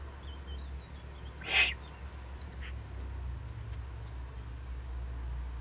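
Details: Recorded on 31 May 2020 beneath a Eurasian eagle-owl nest site in the Eifel: one sharp, raspy hiss near the start, then a softer short rasp. Thin songbird notes sound faintly behind it.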